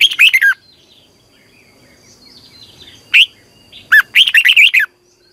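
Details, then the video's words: Morning training of a caged red-whiskered bulbul in Vietnam: an opening rapid warble, a lone sharp chirp, then a long rolling phrase of about six rich, looping whistled notes. "Luyện chào mào hót sáng 2020 - Ép chào mào hót Giọng kép xoắn dài hay tuyệt"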